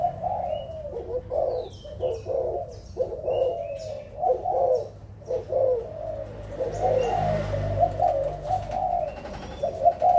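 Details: Adult spotted doves from Malaysia and Thailand, recorded 16 March 2022, cooing: low, mellow, repeated phrases of soft hooting notes, several overlapping, with occasional faint high chirps from other birds and background rumble.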